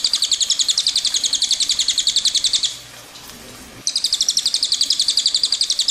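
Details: Cililin giving a long rolling song (ngerol panjang): rapid high notes repeated almost four times a second, forming a steady trill that breaks off for about a second and then resumes.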